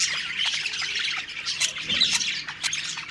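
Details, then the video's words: Happy budgerigars chattering as they eat, a busy mix of shrill squawky notes and quick high chirps that overlap without pause, briefly softer just after the first second. "Happy Singing & Eating Parakeet Budgies Birds"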